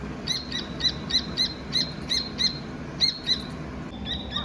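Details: Dakni teetar partridge baby chirping: a steady string of high, slightly rising chirps roughly every quarter second, a short break, then a few more softer notes; low background rumble.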